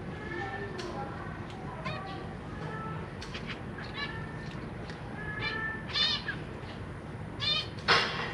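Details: Caged zebra finches with growing babies being fed by the parents: scattered short nasal calls with clear harmonics, spaced irregularly, louder buzzy calls near the end, over low background noise.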